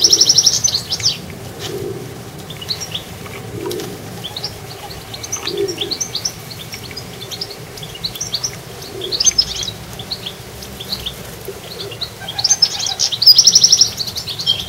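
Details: Goldfinch in a garden: a jingling twittered burst opens, soft scattered chirps follow, and a bright trilled phrase returns near the end, while a pigeon coos low and repeatedly in the background.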